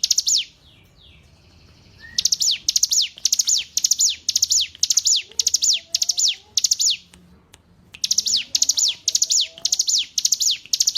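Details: Hill prinia song used as tutor material for captive songbirds. High, sharp three-note bursts each end in a falling whistle, repeated rapidly in long runs, broken by a silent pause of over a second and another shorter gap.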